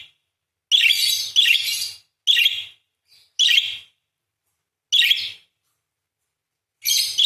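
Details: Repeated raspy chirping bursts from a singing parakeet, each about half a second long, coming at uneven intervals of one to two seconds with a longer gap near the end.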